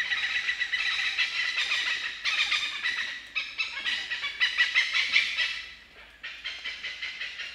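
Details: Oriental pied hornbill giving loud, shrill cackling calls, rendered locally as a continuous "kaek-kaek-kaek", in harsh bursts of rapidly repeated notes with short pauses between bouts; no other clear sounds.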